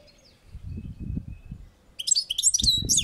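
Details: European goldfinch on a balcony; low rumbling and handling noise fill the first two seconds before a fast burst of bright, high twittering phrases with sliding notes, mixed with more low thumps.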